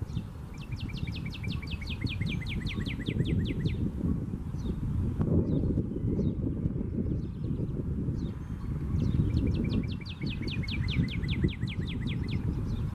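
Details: A male Northern Cardinal sings two bursts of quick, clear down-slurred whistles, about four per second, over a steady low rumble of distant traffic.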